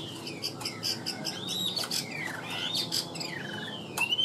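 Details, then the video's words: Captive Chinese hwamei, a tame bird with a steady voice, giving looping slurred whistles that glide up and down, mixed with harsher squawky notes and a few clicks. "Siêu mỏ ra giọng rất đều - Họa mi đẹp hót hay"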